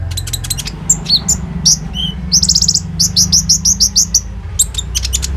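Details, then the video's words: Vigorous common iora song, recorded on a phone and played as a lure to prompt other birds to sing. Shrill high notes run in fast repeated strings of sharp upslurred chirps, about three per second, with quicker trilled bursts between. "SUARA BURUNG KONIN GACOR FULL NEMBAK ISIAN ROLL TEMBAK"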